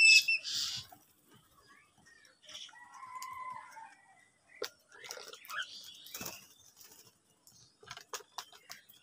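Crows give harsh, raspy squawks and short caws in uneven bursts while squabbling over food, with flapping wings and scattered chirps from other birds.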